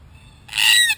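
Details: Wild Australian red-tailed black cockatoo near a spy camera: one loud, harsh, drawn-out grating squawk lasting about half a second after silence.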